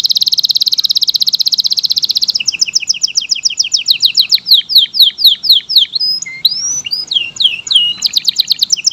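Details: Extended varied canary song from local, AF and AFS types: a long rapid buzzy trill, then faster clipped notes, sweeping down-slurred whistles, a few scattered twisting notes and a closing rapid trill.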